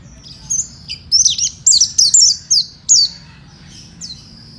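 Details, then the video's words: Fighter-type Oriental white-eye, a kept songbird from Indonesia, singing a run of high, thin chirps and trills, each note a quick sliding drop, clustered in the middle of the phrase before fading to single notes. "kicau burung pleci fighter"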